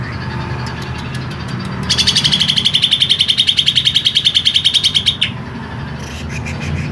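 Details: Green leafbird with a long, harsh song bursts into a fast rattling trill of dense repeated notes lasting about three seconds, after scattered chips, against a steady low background hum.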